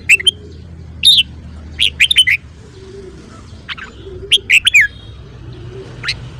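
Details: Red-whiskered bulbul singing in the morning, used to train song. Repeated short phrases of two to four bright, slurred whistles spaced about a second apart, with a single note at the end. Low droning background.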